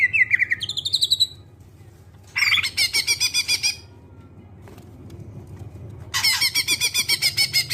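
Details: Greater green leafbird singing, played as a lure to prompt other birds to sing: a short whistled phrase, then two loud bursts of rapid harsh chattering separated by near silence, over a low steady hum.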